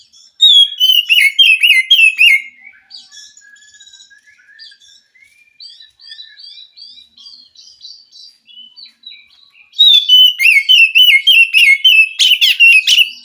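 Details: Forest-dwelling wild white-rumped shama singing to stimulate a captive bird that is slow to sing: two loud bursts of rapid, rolling whistled notes separated by a stretch of soft, high twittering phrases.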